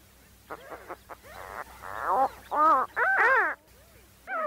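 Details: Seagulls giving a series of harsh, wavering, harmonic calls that swell in loudness, with rising-then-falling inflections, ending on a stronger drawn-out cry.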